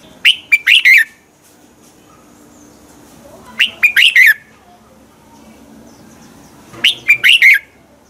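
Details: Morning song from a red-whiskered bulbul, used to coax young bulbuls into full song: three short phrases of quick, bright whistles ending in a slurred warble, spaced a few seconds apart over a faint hum.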